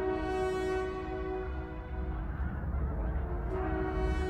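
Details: A flock of some 40–50 wild geese wintering on rice paddies near a waterway in the new year take flight as the recorder approaches, honking in a dense, overlapping chorus of nasal, horn-like calls, many per second, over a low rumble.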